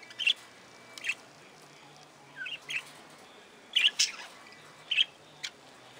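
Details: Budgerigars kept in an aviary, calling with crisp chirps and short doubled notes, spaced out by gaps of about a second, against low steady background noise.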